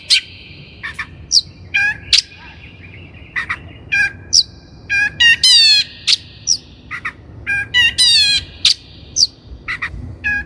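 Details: Long-tailed shrike lure for bird training: varied mix of harsh squawks, high sharp notes and fast buzzy rattling trills, delivered in uneven bursts.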